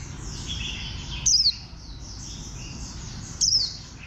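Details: Two brief shrill chirps sliding downward, given by a warbling white-eye about two seconds apart, with a steady high-pitched hiss behind.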